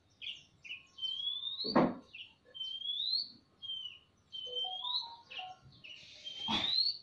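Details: Oriental magpie-robins, male and female answering each other in a semi-natural aviary in the ngobra style, a bird spreading its tail: clear slurred whistles rising and falling, traded back and forth, with a few thumps.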